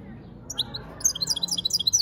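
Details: European goldfinch singing: a few sparse, high tinkling notes, then a rapid run of bright, liquid twittering chirps through the final second, over a faint low background hum.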